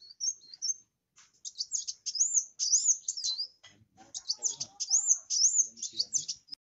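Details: Van Hasselt's sunbird (kolibri wulung) singing vigorously, used as a lure to prompt less vocal birds of its kind: rapid high, thin, twittering and sweeping notes in dense bursts, broken by short pauses, with faint low chatter beneath.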